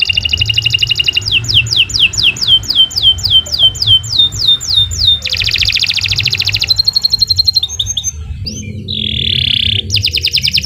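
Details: Long, varied canary song for training songbirds: rolling high trills, a series of quick downward-slurred whistles, a dense buzzy passage, scattered sharp notes, then a brief harsh lower phrase before trilling resumes; steady low background hum throughout.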